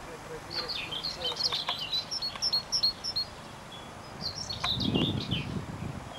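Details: White wagtail, known in Lithuanian as baltoji kielė; a run of quick, sharp high chirps and twittering notes in irregular bursts, a second cluster near the end, with a low rumbling noise underneath.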